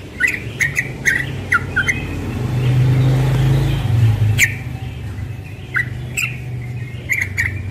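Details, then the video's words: Morning ropel song of a young yellow-vented bulbul, a string of sharp chirped notes repeated irregularly at a quick pace, with a car passing and low traffic rumble in the background. "Trucukan muda ropel pagi"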